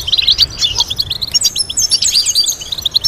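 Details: Complex European goldfinch song for tutoring goldfinches: fast, high chattering twitters and short sliding whistles tumble in quick succession, clean and unbroken for the whole stretch.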